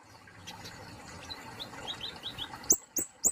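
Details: Kemade polos songbird from Indonesia singing: faint rising whistled notes build up, then three sharp, very high downward-slurred chirps near the end.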